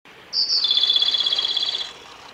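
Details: A male Japanese robin at Yanagisawa Pass, 29 April 2018, gives a single song: a high clear opening note followed by a fast, even rattling trill held for about a second and a half.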